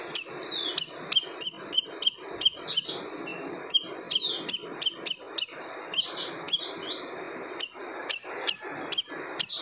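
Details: Repeated bright, high-pitched chirps from a siri-siri bird, closely spaced and fairly even, roughly two per second, over a constant low hiss.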